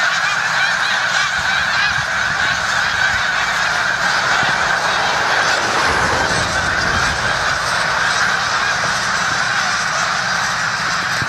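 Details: In the Musconetcong River valley, New Jersey, near the Delaware River, a large flock of snow geese keeps up a dense, unbroken clamor of high nasal honks, many birds calling over one another.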